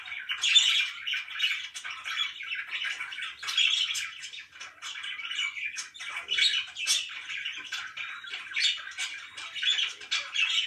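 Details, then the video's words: Pet budgerigars indoors giving continuous dense chirping and warbling chatter, busy overlapping high notes with short squawky bursts throughout, no pauses, no other sounds. "LIFE WITH MY BIRDS (4K WATCH HOUR)"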